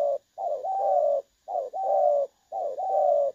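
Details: Spotted dove used as a decoy for trapping, clear pleasant voice, 16 August 2024: three loud coo phrases, each a short note running into a longer sustained one, spaced about a second apart.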